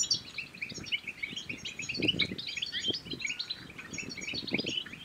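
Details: Stimulating goldfinch song for coaxing mates and rivals into singing: a continuous, high, rippling chatter of short notes, accompanied by scattered low thuds.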